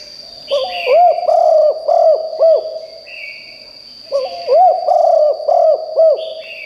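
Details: Spotted dove decoy calling loudly to lure wild doves, producing two phrases of about five hollow coos each, roughly three seconds apart, with a steady high whine and faint higher chirps behind.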